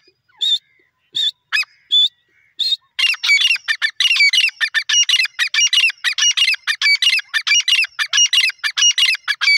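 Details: Desi grey francolin calling: a few separate harsh notes, then a rapid, continuous run of squawky, ringing phrases repeated about one and a half times per second.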